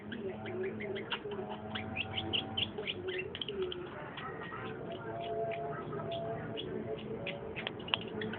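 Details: Busy chattering song of a long-tailed shrike, rapid scratchy notes mixed with short whistles, delivered almost without a break over a low droning background.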